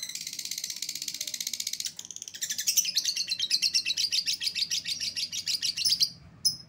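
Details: Lovebird lure call meant to bring back an escaped lovebird: a long, rapid, shrill chattering stream of high notes pulsing several times a second, a brief break, then continuing before ending with a short chirp.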